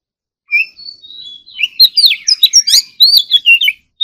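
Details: Oriental magpie-robin at morning voice practice, sung in the full-fill competitive style: a thin high whistle first, then a quick jumble of bright, swooping notes and sharp chips, delivered in rapid bursts.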